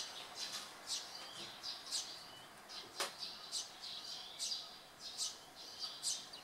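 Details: Eurasian tree sparrow fledglings on a board fence in Japan, early July 2015, waiting for a parent with food while one bullies the other; steady run of high chirps, roughly two per second, one brief low thump.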